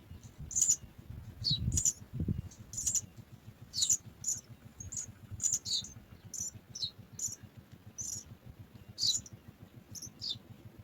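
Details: Three house sparrow chicks in a nest waiting to be fed, giving thin high-pitched cheeps repeated roughly every half second to one second, with low rumbling background noise.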